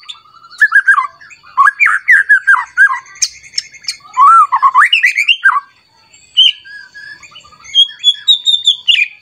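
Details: Agitated white-rumped shama singing against a rival: dense, varied phrases of swooping whistles and harsh squawky notes, a short lull, then thinner high whistled notes resuming.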